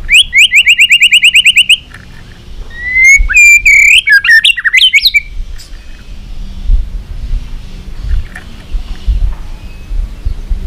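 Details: White-rumped shama singing in competition with tail flicking. It opens with a fast, even trill of bright notes, then gives a brief burst of varied slurred whistles before falling quiet over low background rumble.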